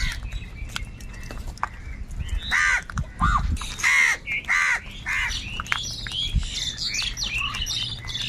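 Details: Crows squabbling over food. Rough caws cluster in the middle, mixed with higher squeaky chirps from other birds over a low rumbling background.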